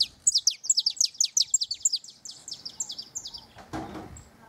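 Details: Near the nest, a canary pours out a dense, fast series of high downward-sliding chips, then tapers off, followed by a brief low thump.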